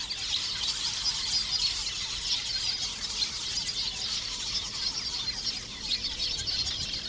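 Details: Lesser masked weavers in a busy breeding colony in thorn acacias near shallow water, eastern or southern Africa; a dense, continuous wash of high buzzy chattering and squeaky notes from many birds at once, with no pauses.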